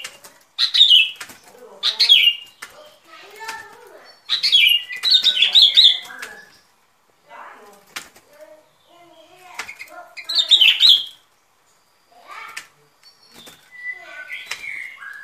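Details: Sooty-headed bulbul song from a recording meant as a lure for trapping birds: bright, chirpy whistled phrases falling from high to middle pitch, given in bursts separated by short pauses, with a few soft clicks between them.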